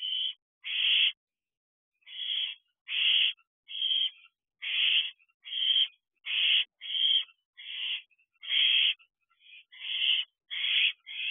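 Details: Owlets 10 weeks old at an owl box, becoming more independent, recorded at 10:28 pm on 18 June 2023: harsh, hissing screeches, about fifteen bursts irregularly spaced, each under half a second.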